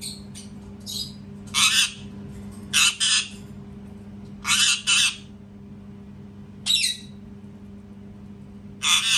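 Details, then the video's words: Loud parrot screaming, a run of harsh raspy screeches, several doubled, coming in bursts every one to two seconds with short squeaky notes mixed in, over a constant low background hum indoors. "PARROT SCREAMING TOO LOUD | PARROT SCREAMING SOUNDS"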